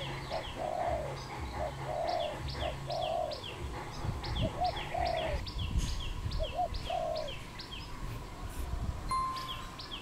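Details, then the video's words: Wild dove in Cambodia, 23 April 2020: several low rounded coos with brief double notes, under a busy chorus of rapid high descending chirps from another bird throughout. "សត្វលលក | Dove, นกเขา, Bồ câu"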